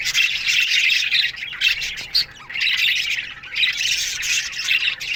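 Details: Budgerigars chirping together in an aviary colony in the morning; loud busy chatter that dips briefly around the middle, then swells again into rapid squawky notes.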